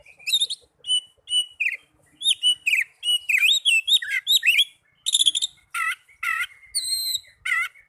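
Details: Oriental magpie-robin singing, meant as a lure for caged birds that rarely sing: dense sequence of sweet whistles, sharp chips and rasping notes, ending in a few long clear tones.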